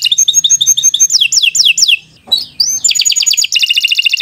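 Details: Canary singing a long training song for young birds: rapid paired chirps, three loud falling whistles, a short pause, then a rising note leading into a fast, ringing trill.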